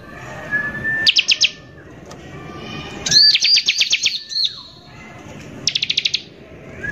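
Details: Bar-winged prinia in full rough 'nembak kasar' song, a lure meant to anger other prinias: short bursts of quick, shrill repeated chips, with a soft rising whistle and a falling note in the quieter gaps.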